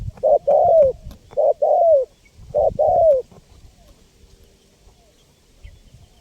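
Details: Spotted dove with a soft, low cooing phrase: three paired coos, each a short note followed by a longer, slightly falling coo, then quiet.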